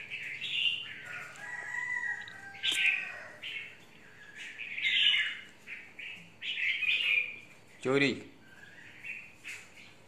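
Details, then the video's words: Fired-up caged red-whiskered bulbul, a 'mộc' bird, singing choppy warbled phrases among other chirps, with a sharp clack near the end. "Chào mào mộc VIP"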